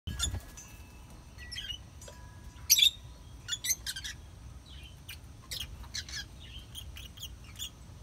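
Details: Lovebirds chirping: scattered short, high, thin chirps and squeaky notes at irregular intervals, one sharper call near the middle, over a low background rumble.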